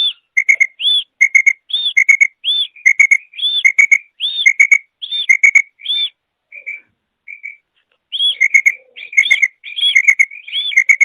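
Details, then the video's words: A female quail calls, used for quail hunting and training: a high arched whistle followed by a lower doubled chirp, repeated roughly every second in quick runs with a brief pause. "فیمیل بٹیر کی آواز / Female Quail Sound / Urg'Ochi Bedana Ovozi"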